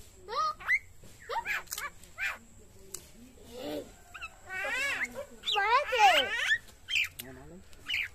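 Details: Talking common myna, age given as 6 months or 9 years, producing a busy string of chattering, speech-like syllables with steep upward and downward sweeps, loudest near the middle.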